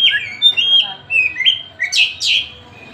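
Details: Tasik kacer, an Oriental magpie-robin, singing as it pleases: a run of level whistled notes, then two loud, rich, buzzy upward bursts.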